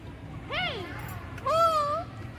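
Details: White cockatoo talking: two clear, harmonic, voice-like phrases, the first swooping up and down, the second a longer wavering tone, over a faint low background hum.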